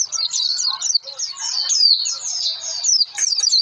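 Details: Lure song of an Oriental white-eye to set birds singing; a continuous, bright, high chatter of quick slurred notes, ending in a burst of sharp chips.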